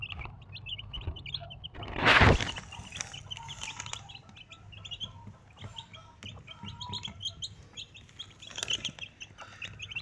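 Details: Desi chicken mother hen with four baby chicks: high, short chick peeps repeat throughout, broken by a loud broadband rustling burst near the start, with low background hum.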